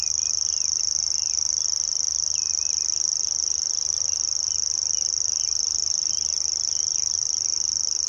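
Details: A grasshopper warbler's song recorded at RSPB Middleton, 17 May 2021, an unbroken high mechanical trill like a fishing reel winding, fast and perfectly even throughout, while other birds twitter faintly in the background.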